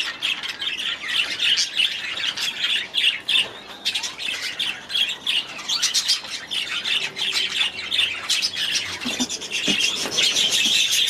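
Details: Budgerigars in an aviary keep up a continuous chatter of harsh squawks, chirps and warbled notes, the busy flock sound swelling and fading in waves.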